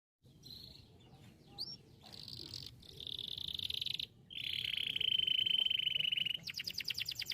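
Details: Canary song used for bird training: soft scattered chirps, then a long level buzzy trill near the middle, ending in a fast series of rapid clicking notes.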